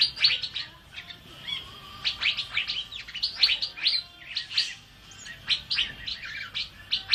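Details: Asian fairy-bluebird in full, lively song, used as a tutor recording for training birds: rapid, crowded bursts of bright chirps and quick whistled slurs, pausing briefly before resuming in clusters.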